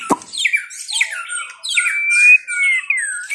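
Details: White-rumped shama singing: a sharp click, then a run of clear whistled notes sliding down, ending in a long, steady, bright whistle that dips and rises again, with a few high, thin accents above.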